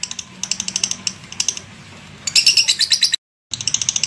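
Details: Lovebird ngekek chatter in short bursts: clusters of quick, high, clicking chirps, a louder, denser rattle midway, a brief silence, then more rapid chatter.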